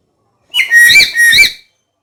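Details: Black-capped lory giving a short double phrase of piercing, slightly buzzy whistles, the second note rising then dropping, in an otherwise quiet setting.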